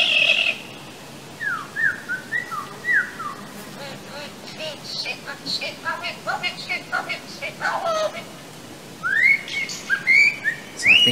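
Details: Superb Lyrebird mimicry, possibly of a human voice: a run of quick, descending whistled slurs, then louder rising whistled sweeps near the end, over soft noisy background. Some listeners hear the words "rocket ship".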